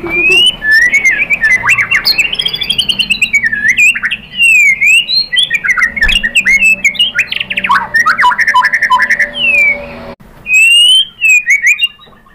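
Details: White-rumped shama song played as a lure so other shamas answer and show their full repertoire: a long, dense stream of varied whistles, slurred warbles and sharp clicking notes, with brief pauses.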